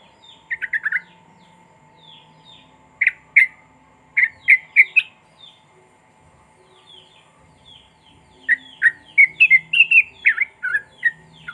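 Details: Sooty-headed bulbul phrases played to prompt silent birds to sing: several brisk clusters of warbled chirps separated by pauses, with faint soft chirps between them and a steady background tone.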